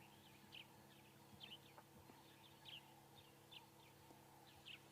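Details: Grey-headed sparrow calling at sunrise in the African bush as the dawn chorus begins, doves also about: short high chirps, 'chip chip', repeated roughly once a second, faint over a steady low hum.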